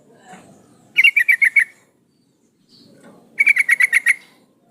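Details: Female sooty-headed bulbul calling to a male, used as a lure: two bursts of six quick chattering notes about two and a half seconds apart, over faint low background rustle.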